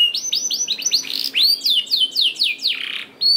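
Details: Canary song meant to spark singing in lazy canaries: a rising series of quick whistled notes, several loud descending slurs, then a short rasping buzz before a final high note.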